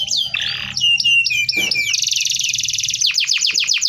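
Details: Canary in full dense rolling song for tutoring: looping whistled phrases and a brief harsh burst, then a loud, very fast continuous trill, ending in a series of sharp downward-sweeping notes.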